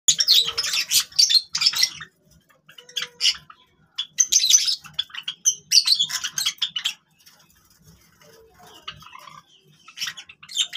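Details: Java sparrows playing with grass give bursts of high, sharp chirping notes in clusters separated by short quiet gaps, with faint low rustling underneath.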